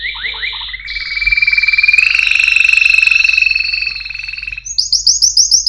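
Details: Canary song with quick descending chirps, then a long steady buzzy roll with fast pulses that fades out, followed by a series of high rising whistled notes.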